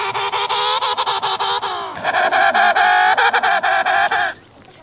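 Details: Emperor penguin encountered on sea ice between Cape Evans and Cape Royds, giving two loud buzzy phrases back to back, each made of quick stuttering pulses, lasting over four seconds before falling quiet.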